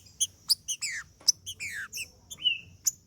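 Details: Macheando song of a male green-winged saltator, meant to fire up another male: short bursts of descending whistled slurs between crisp high ticking chips.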